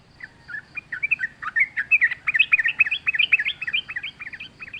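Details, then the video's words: Wild yellow-vented bulbul singing freely in forest: a rapid, continuous stream of bubbly, warbled notes that jump up and down, growing louder and denser after the first second, with no other sounds. "trucuk gacor ngalas full suara alam"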